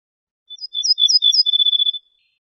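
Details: Ortolan bunting, a wild bird known in Morocco as al-bouh al-fassi, singing a fast, even series of about a dozen high, sweet, repeated notes lasting around one and a half seconds, clean and without background noise.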